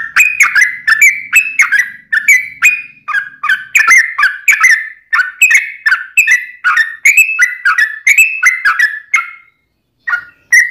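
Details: Yellow-vented bulbul in full lively song in a long 'ropel' delivery: a steady run of bubbly whistled notes, mostly falling or rising, about three per second, with a brief pause near the end.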